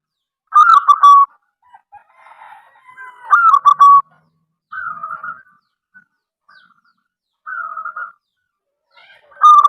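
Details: Frequently calling local wild zebra dove. Repeated cooing phrases of stuttered notes end in a held tone, mixed with softer drawn coos. Faint quieter cooing, perhaps another dove, fills the gaps.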